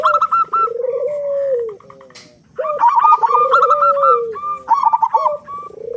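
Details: Local zebra dove with a big voice, sung to coax other doves into song: quick bursts of bright, bouncing coo notes, overlapped at times by a lower, drawn-out falling coo from another bird.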